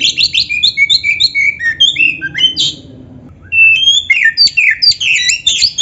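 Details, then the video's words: Kacer (Oriental magpie-robin) singing a lively, varied 'full isian' song used to tutor caged birds: quick chattering and whistled phrases, a brief pause, then a renewed burst of squeaky, tumbling notes. "MASTERAN KACER GACOR FULL ISIAN"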